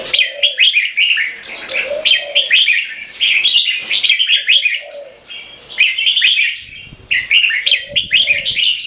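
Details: Red-whiskered bulbul kept for song competitions, purebred Thai bloodline, calling 'keke' nonstop: busy strings of sharp, twittering notes in clusters, about one burst per second, with mellow low coos in the background.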